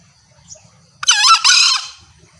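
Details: Female green junglefowl calling to draw males in, used as a hunting lure. Two loud, harsh, strongly harmonic squawking notes, each roughly half a second long, come one after the other following a faint brief note, with quiet background otherwise.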